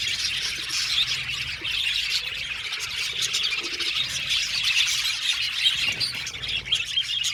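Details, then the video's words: Aviary colony of budgerigars, 70 pairs, producing an unbroken mass of shrill chirping and chatter, many voices overlapping, over a faint low hum. "Beautiful Budgies chirping sound"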